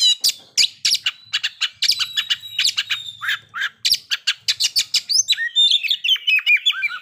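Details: Kept white-rumped shama singing to stir breeding condition and aggression: a fast run of sharp clicky chirps, then a closing phrase of descending whistled notes.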